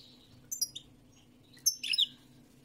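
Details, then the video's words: European goldfinch singing two short bursts of high, tinkling chirps about a second apart, with a few soft twitters between them and a faint low hum in the background. "تغريد الحسون الملكي 🐦 chant de chardonneret goldfinch song"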